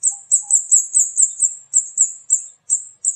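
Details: Steady run of sharp, very high 'cit' notes from a flowerpecker known as burung kemade, roughly four per second, evenly paced with almost no pause; no background sound.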